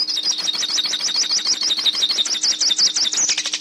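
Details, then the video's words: Hooded siskin song played for teaching a captive bird to sing: a rapid, unbroken twitter of high, sharp, looping notes, thick and continuous throughout, over a faint steady low hum. "Canto Pintassilgo - Canto Para Ensinar Seu Pintassilgo Ouça o Canto Pintassilgo"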